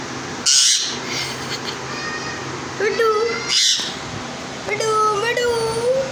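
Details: Rose-ringed parakeet talking: speech-like phrases with stacked harmonic tones around the mid range, broken by two short harsh bright bursts, over steady background hiss.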